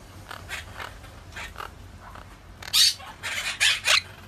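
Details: Monk parakeet calling: a few faint harsh squawks at first, then a louder burst of three or four rasping, broadband screeches near the end.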